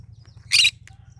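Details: A single short, grating squawk from a cinnamon green-cheeked conure, followed by a faint chirp, over a steady low mechanical hum.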